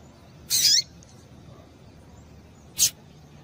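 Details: Female double-collared seedeater call meant to make males sing: a longer, rasping high note sliding downward, followed two seconds later by a short sharp tick.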